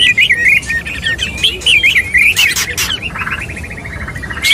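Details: A courting male white-rumped shama gives a quick string of wavering high whistles, then harsh clicks and a rapid buzzy trill near the end.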